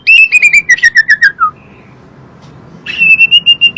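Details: Asian pied starling song meant to draw kept birds into answering: a quick series of short notes gradually dropping in pitch, a silent stretch, then another rapid run of level clipped notes.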